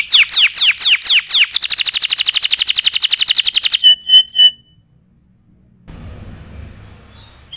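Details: Canary song for training other birds: several loud down-slurred notes, a long rapid high trill, and a few buzzy notes, followed by quiet and faint low background noise.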